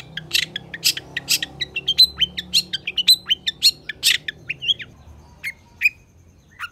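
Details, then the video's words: Long-tailed shrike in full, energetic song, used as a master recording for training sluggish shrikes: a rapid run of harsh broadband chirps mixed with sharp whistled notes and short buzzy trills, thinning into scattered single notes near the end. "Suara Cendet Gacor DOR Emosi Cocok Buat Masteran Cendet MALAS"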